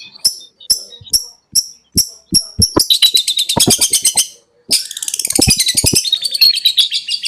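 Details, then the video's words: Long-tailed shrike in the konslet song style, used as a master recording to train other birds: sharp high notes spaced about half a second apart, then a fast buzzy chattering run of rapid repeated notes, a short pause, and another dense chatter. "RAJANYA CENDET,GURU VOKAL ANDALAN,CENDET KONSLET TIADA TANDING"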